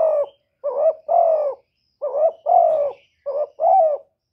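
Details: Spotted dove giving its calling, urging and cooing sounds: seven soft, throaty coos in short bursts, mostly a brief rising note then a longer falling one, repeated with brief pauses and no other sounds.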